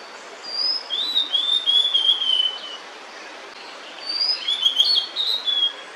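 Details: Female blue-and-white flycatcher keeping watch near her hidden nest, food still in her bill, sings two whistled phrases of slurred, tumbling high notes about three seconds apart.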